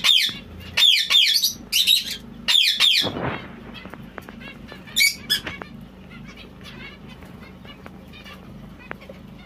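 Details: White zebra finch calling loudly in a cluster of nasal, stacked chirps over the first three seconds, followed by a few fainter notes and a long quiet stretch with low hum.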